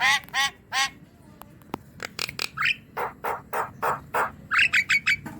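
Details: Javan myna song used to coax a silent, lazy young myna into singing: harsh nasal honking notes with rich overtones, repeated in a steady series, plus a rising whistle and a few clear high whistled notes near the end.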